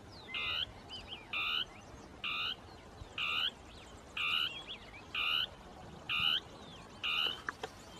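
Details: In dense scrub, a northern tapaculo sings its territorial song, with two birds noted as interacting: nine monotonous, buzzy, grating notes at a regular pace near one per second, and small chirps and whistles from other birds.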